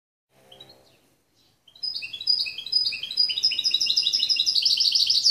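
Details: Goldfinch x canary mule hybrid singing, recorded in 2013: after a faint opening, a fast run of high, bright twittering notes builds and continues steadily, rapid chirps repeating at a lively pace.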